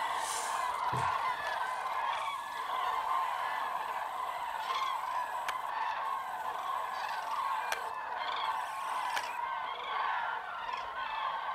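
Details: Hundreds of common cranes calling at a massive roost in Tablas de Daimiel National Park, Spain, on a freezing, foggy mid-January dawn. Dense overlapping trumpeting chorus with steady harmonic calls, and some greylag geese and teal present.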